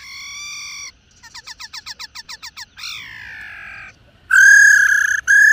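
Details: Laughingthrush female making 'rò' calls meant to excite male birds: a steady nasal harmonic note, then a rapid even series of about ten short clipped notes, a descending rasping slur, and loud harsh nasal bursts.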